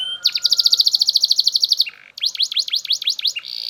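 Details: Belgian canary delivering a fast, evenly spaced trill of about twenty bright notes, a short break, then a series of sharp falling chirps and a buzzy ending.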